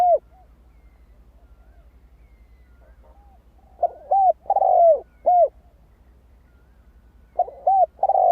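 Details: Spotted dove song for exciting decoy birds: after a lone opening coo and a quiet gap, two phrases of short coos, a long wavering hoot and a clipped final note.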